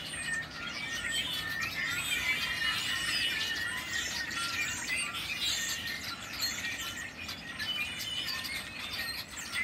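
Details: Noisy birds calling together in a dense, continuous chorus of high chirps, squeaks and short whistled notes overlapping throughout, with steady background hiss beneath.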